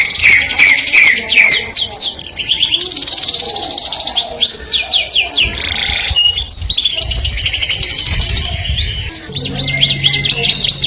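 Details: Singing canary, its melodious song drawing the opposite sex: a varied stream of fast trills, buzzy rolls and looping whistles, phrases shifting quickly with brief dips between them.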